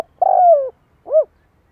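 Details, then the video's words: Vietnamese decoy spotted dove luring wild birds: a long vibrating coo that slides gently down, a short pause, then one brief rising-and-falling coo, clean and close. "Cu gáy mồi cây gáy gọi kích bổi nhanh nổi hiệu quả"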